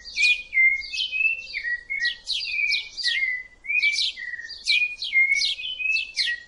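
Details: Rufous-bellied thrush, identified by its rust-coloured breast, singing a lively run of short whistled notes that slide downward, each with a buzzy upper edge, repeated in quick succession with hardly a pause.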